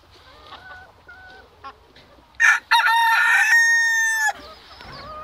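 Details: Black Sultan chickens in Turkey: soft clucks and faint peeps, then a loud harsh call breaks into a long sustained strained crow lasting over a second, followed by quieter chirps.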